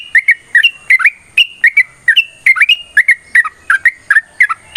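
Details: Yellow-vented bulbul in energetic 'ropel' fighting song used as a lure for other bulbuls: bubbly gurgling two-note phrases, some rising and some dropping, repeated in quick succession over nearly five seconds.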